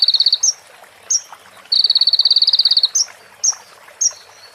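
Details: Sunbird (konin) training recording with prinia and ciblek fill-ins: short, high, quick trills alternating with single sharp upward chips, then a longer trill of about a second followed by three spaced chips.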